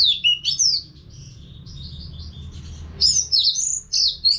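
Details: Orange-headed thrush kept in a cage, singing steadily without breaks, used to coax other birds into song. Bright looping notes start it, thin soft phrases fill the middle, then loud, high, twisting whistles return near the end.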